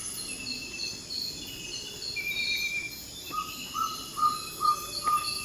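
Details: Ferruginous pygmy owl (Glaucidium brasilianum) just before dawn in Ecuadorian Amazon rainforest gives its territorial/advertising call, a run of short mellow 'toop' whistles two to three per second, over steady insect buzz; Tropical Screech Owl and Pauraque may be heard.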